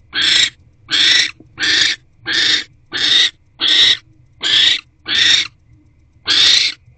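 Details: Wild barn owl pair at a nest box, the male delivering food to the female on an evening in January at 6:04 pm; harsh broadband hissing bursts, each about half a second, repeated roughly every 0.7 seconds, nine in a row.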